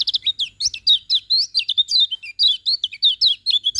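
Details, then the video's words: Morning song of a lemon-bellied white-eye, a continuous rapid chatter of high, sweet slurred notes and chirps in close succession with almost no pauses. "Kicauan Kecial Kuning Pagi Hari"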